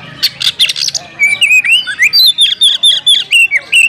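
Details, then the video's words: An Oriental magpie-robin challenges a rival to fight. Harsh, scratchy notes open the clip, then the bird shifts into a steady run of bright whistled slurs repeated quickly, some notes swooping up and others dipping down. "panggilan kacer mencari lawan tarung biar tambah ngotot buka ekor bongkar materi full emosi"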